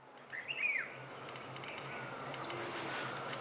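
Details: Rufous-throated partridge in Himalayan forest in Uttarakhand, India, gives a single clear, mournful whistle that slides up then dips, over a steady hiss of forest background.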